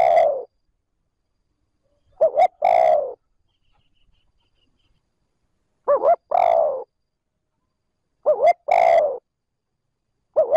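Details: Calling spotted dove used as a decoy, smooth trơn ròng style meant to provoke wild birds: paired quick hoots followed by a long mellow falling coo, phrases spaced by silent pauses of about two seconds.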